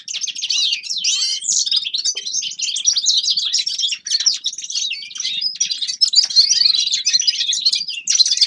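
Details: Forest birds in winter give a dense, unbroken twittering song of fast, high chirps, warbled notes and trills, with several voices overlapping throughout.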